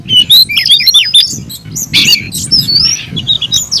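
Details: Fighting song from a caged Oriental magpie-robin, varied shrill whistles and harsh buzzy notes in rapid sequence, with a constant low murmur of background noise throughout.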